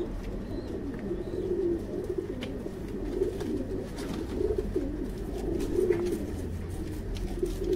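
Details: Fancy pigeons kept on a breeding farm, giving soft, low, throaty coos that rise and fall in short rolling phrases, repeated through the recording over a steady low electrical hum and faint clicks.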